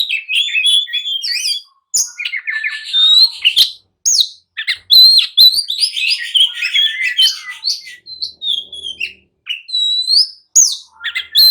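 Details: Agitated oriental magpie-robin song meant to provoke rivals into answering and fighting; a long, dense stream of bright whistles, trills and upslurred notes with brief pauses, loud and continuous throughout.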